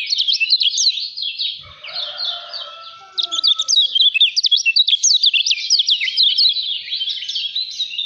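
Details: Lemon-bellied white-eye from Lombok singing a 'speed rapat fighter' song, rapid and tightly packed: high, sharp twittering notes tumbling up and down without pause, with a brief quieter gap and a faint thump midway.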